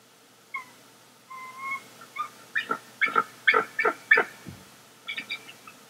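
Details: Pair of wild bald eagles at their NEFL nest, reunited for a new season in September 2021, early morning with nest bowl testing and a dominance show; thin whistled notes, then a quickening run of piping chirps, and a few softer closing chirps.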